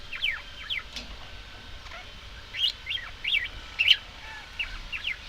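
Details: Budgerigar chatter: bright, looping whistled notes and squeaky chirps delivered in quick clusters, growing busier toward the middle, over faint background hiss.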